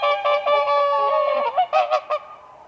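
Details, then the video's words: Spring whooper swans dancing on a frozen lake; a drawn-out brassy honk followed by three quick shorter calls that fade out. "WHOOPER SWAN birds dancing on ice"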